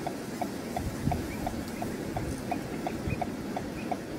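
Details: Juvenile black-winged stilt (Himantopus himantopus) at Etang de Vaccarès, Camargue, France, 21 August 2022, giving short, clipped notes about three times a second, steady and insistent, over a low rumble of wind.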